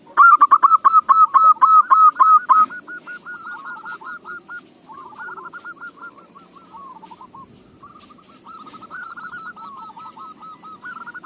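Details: Local zebra dove song suited for use as a lure: a loud, fast series of clipped cooing notes opens, followed by softer rolling trilled phrases of hooked coos, repeated several times about three per second.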